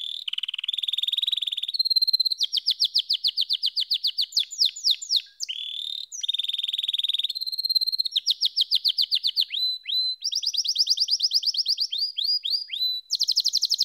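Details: Canary delivering a long varied song of rolling trills, rapid rattles, quick upward sweeps and held chattering tours, one phrase after another with barely a pause, clean and loud.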